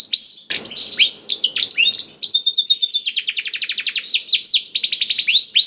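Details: Canary singing its blackthroat-learned song as a lure for other canaries: an opening harsh note, then long chains of rapid descending whistles and sweeping trills at a steady fast pace.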